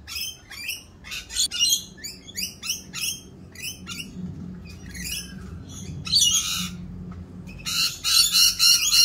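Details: Rainbow lorikeets, more raucous than usual during mating season while doing their mating dance, give rapid bursts of harsh, high screeching squawks, several per second with short gaps, the chatter swelling louder toward the end.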